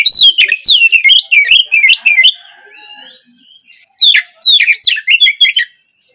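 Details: Morning song of an Oriental magpie-robin, used to coax untrained spotted young birds into singing: a long run of quick, looping whistles and chips, a pause, then a second lively burst of varied whistled phrases.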